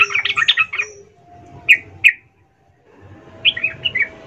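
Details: Female sooty-headed bulbul calling to the male: a brief chattering burst, two sharp isolated chirps, a pause, then a short trill of descending notes.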